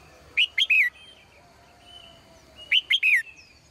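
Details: In the morning, a female bird sings in a cage. Two clear triplets of sharp, downward-sweeping chirps are separated by a couple of seconds of soft, faint whistling.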